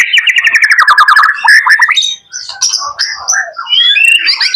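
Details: Young male white-rumped shama kept as a pet, singing loudly: a fast run of rattling, repeated notes slides into varied whistled phrases and sharp high chips, with a brief pause midway.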